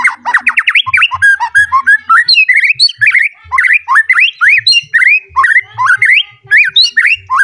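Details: White-rumped shama, agitated and seeking a rival, sings a dense stream of rich whistled notes, rapid slurred phrases rising and falling, varied and continuous with brief gaps; faint low thumps underneath.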